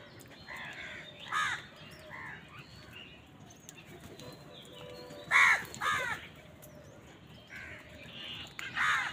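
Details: A crowd of crows on a winter morning, quarrelling over food. Irregular harsh caws from several birds, near and distant, overlap across the clip. Noisy outdoor background.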